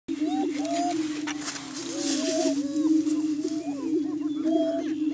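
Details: Greater Prairie Chickens displaying on a lek, or booming ground, on a hilltop in Washington County, Kansas, in the morning during spring courtship to establish breeding territory; a steady low hollow boom drones throughout, overlaid by many short rising and falling whoops and cackles.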